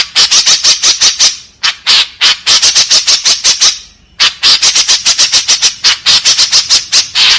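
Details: White-breasted woodswallow delivering a long, loud 'tembakan kasar' volley of coarse buzzy notes, many per second. One short lull interrupts the rasping chatter midway.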